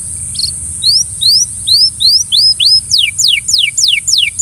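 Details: Belgian canary singing to coax a companion canary into song: a brief opening chirp, then a series of rising slurred whistles that shift to quick, steeply falling sweeps, about three notes per second, over a steady high hiss.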